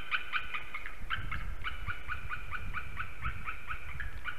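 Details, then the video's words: White-tailed eagle calling at 9:12 am on 16 December 2020 in Slītere National Park, Latvia: an unbroken series of sharp, yelping notes, about four every second, steady in pitch and loudness, over low rumbling background noise. "Jūras ērgļis Slīteres~Visit by Silva! a lot of calling!"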